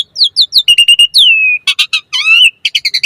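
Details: Asian pied starling singing a 'mompa variasi' phrase, used as a master and lure for starlings: quick downslurred whistles, a brisk chirp series, a long falling whistle, then rapid scratchy notes.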